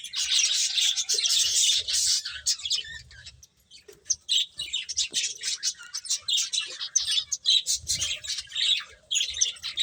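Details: Finches eating, with bursts of shrill, rapid chirping from a group. The chirping stops for a short quiet spell near the middle, then resumes in scattered and overlapping tweets.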